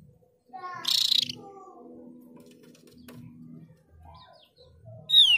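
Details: Lure recording of Mees's white-eye meant to prompt other white-eyes to sing: a rough, loud burst near the start, a low droning hum through the middle, then one clear, piercing downslurred whistle at the end.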